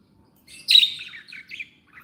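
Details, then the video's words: A happy pet budgerigar gives one bright, slightly buzzy chirp followed by two softer short notes, in a quiet room. "Happy budgies sound"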